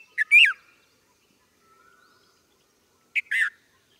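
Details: Red-vented bulbul uttering a chirp and a louder, rising-then-falling harmonic note, then after a quiet spell a similar two-note phrase ending in a downward slide.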